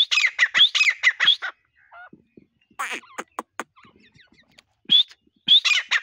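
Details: Hunting-lure partridge calling: bursts of harsh squeaky notes, each rising sharply, come in quick runs separated by short pauses filled with faint clicks and softer squawks.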